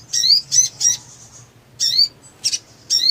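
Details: Excited black sunbird (sogon) with ngleper display, singing as a lure to make quiet birds sing. Three quick high sweeping notes, a pause, then further sharp zips.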